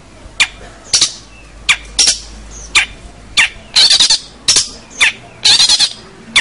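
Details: Vigorous long-tailed shrike song meant for training juvenile shrikes: spaced harsh, scratchy bursts and sharp clicks separated by short silences.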